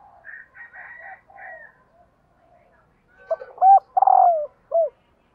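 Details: Female spotted dove calling to excite males: softer high warbled notes first, then a loud low cooing phrase of short, long and drawn-out notes near the end.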